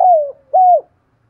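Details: Decoy spotted dove with a 'thổ' style voice, calling to prompt wild doves to answer. There are two hollow, mellow coos: the first starts loud and slowly falls in pitch, the second is shorter and ends with a dip. Silence follows.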